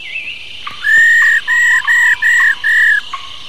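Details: An old wild female laughingthrush, used to stimulate male birds to sing, gives five clear, even whistled notes, each about a third of a second, at a steady mid pitch in quick succession.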